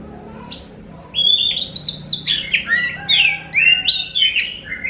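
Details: Oriental magpie-robin singing strongly, played to prompt other magpie-robins to reply; after a short quiet start, bright whistled notes and quick slurred trills follow in a fast varied stream, with downward-sweeping phrases near the end.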